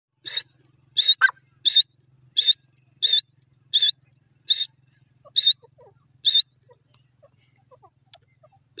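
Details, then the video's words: Francolin (teetar) calling: a series of nine loud, harsh, high-pitched bursts at roughly regular intervals, about eighty-seven per minute, each note short and buzzy, then a quiet stretch with faint low hum. "teetar ki beautiful awaaz"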